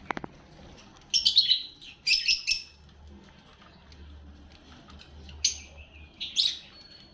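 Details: Pet lovebirds feeding and calling: a few sharp clicks, then separated shrill, buzzy chirps and squeaks in short bursts about a second apart, one ending in a thin steady whistle, over low background hum.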